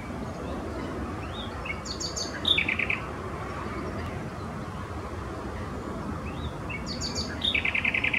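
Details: Common nightingale singing in a wetland at Neeracherried, Canton Zürich, Switzerland, on 4 June 2016: two short phrases mixing high whistles with a fast, rattling trill near the end, over a steady low background rumble.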